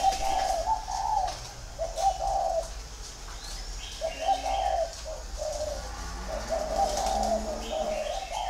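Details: Green pigeon calling in mellow, wavering whistled phrases, a few held notes separated by short pauses, with light chirping of other birds in the background.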